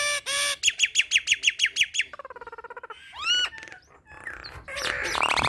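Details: Nias hill myna calling in energetic gacor style: a rapid string of repeated chirps, then a fast run of lower stuttering notes, upward-swept whistles, and a closing harsh buzzy rasp.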